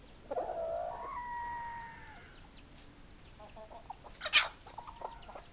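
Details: Chicken giving a drawn-out, harmonic crowing call that falls away after about two seconds, quiet against a background of small birds chirping, with a sharp brief bird note near the end.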